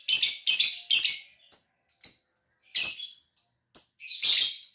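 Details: Caged lovebird from Gresik, East Java, Indonesia, calling once the cage cover is opened: loud, harsh, high chirps in separate bursts about every half second, some bursts short and clipped.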